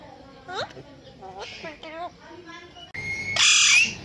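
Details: Pet parrot talking like a human, repeating speech-like phrases with rising and falling tones, then a shrill high squawk at the end.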